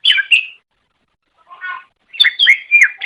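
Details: Short chattering phrases of a cucak ijo, a green leafbird: a bright whistled burst, silence, a soft lower trill, then loud slurred whistles. Recorded as training audio for songbirds.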